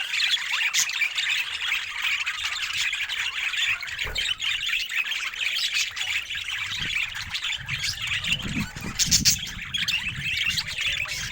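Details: Pet budgerigar described as looking happy, giving continuous high chirping and warbling chatter with scattered sharp clicks and brief squawks, steady throughout, with faint low background rumble.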